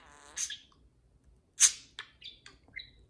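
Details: Parakeets in playful conversation: a buzzy chirp, a loud sharp tweet, then a few short falling and whistled notes in quick succession.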